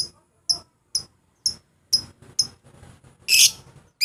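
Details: Lovebird sound to provoke rivals and prompt singing: regular piercing high chirps about twice a second, then a long loud harsh screech and another chirp, over faint low rumble.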